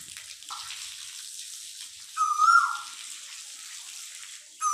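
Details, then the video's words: A koel gives a brief fainter note, then a single clear whistled note that holds steady and drops away at the end, over a steady hiss like running water. "کوئل کی آواز sound of koel"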